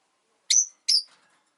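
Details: Two shrill whistled chirps, about a third of a second apart, from a caged rosy-faced lovebird kept with four others beside a window.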